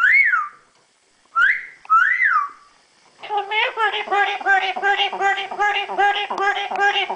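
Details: Family pet yellow-naped amazon, a female kept in a cage, gives three arched rising-and-falling whistles, then a long rapid stream of repeated harmonic syllables, like chattered words, several per second.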